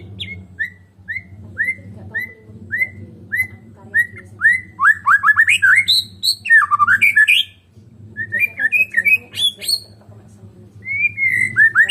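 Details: White-rumped shama of the Medan type singing without a rival: a series of evenly spaced short upslurred whistles, then dense, rapid warbling and harsh chattering notes over a steady low hum.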